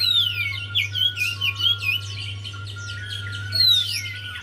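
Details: Lure song of a Javan white-eye for a quiet bird: a falling whistle opens a run of rapid looping chirps, followed by another long descending whistle, with a constant low hum.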